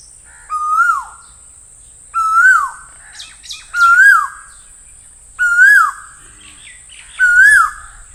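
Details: Asian koel delivering five whistled calls in steady succession, each note swooping up then down, repeated roughly every one and a half to two seconds.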